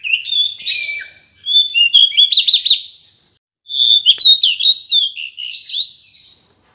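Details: A female decu gives bright, high chirps and whistles in two bursts, the first with a fast series of about five rapid trilled notes, the second a busy tumble of warbled whistles, with a brief silence between them.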